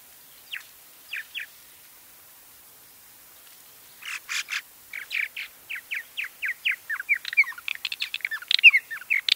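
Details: Purple martin call given at colonial nest sites and in flight: a few scattered chirps, then a fast run of gurgling, throaty chirps about three or four per second, growing louder and busier toward the end.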